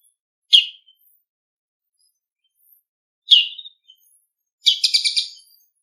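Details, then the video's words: Bull-headed shrike, wild, making its noisy autumn ground calls: two separate harsh, scratchy notes followed by a short stuttering chatter of rapid grating notes. "モズの地鳴き02 秋の風物詩 騒がしい鳴き声"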